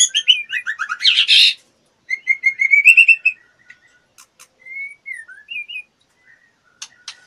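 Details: Female white-rumped shama in breeding condition, fluttering and soliciting mating: a burst of rapid chattering notes, then a run of rising whistles and scattered clicks, ending with clear slurred whistled phrases between short pauses.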